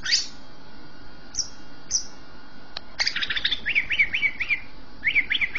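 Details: Javan green magpie in full song, meant to spur juvenile birds to sing: a few isolated very high squeaks, then a rapid series of short, repeated up-and-down whistled phrases.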